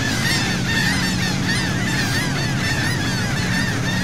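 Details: Crowd of seagulls at sea off Saint Martin, Cox's Bazar, Bangladesh, heard from a boat: shrill slurred cries pile up densely and nonstop over a low, even engine rumble.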